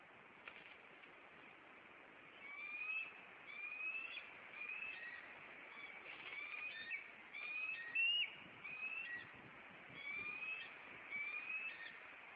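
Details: Maine bald eagles defending their nest from an intruder on April 26, the male flying in and landing on a branch. There are many overlapping high whistled calls and chirps over steady background noise.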